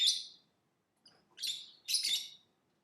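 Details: Lovebird chirping and singing: three harsh, noisy high chirps, the first short, then a pause and two longer buzzy bursts close together, with a faint tick between.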